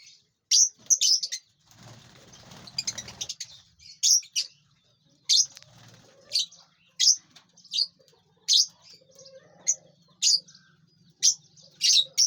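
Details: Lovebirds in a large aviary eating and flying; sharp, high single chirps repeated roughly every second, with a stretch of rustling wing noise early on and a low hum in the background.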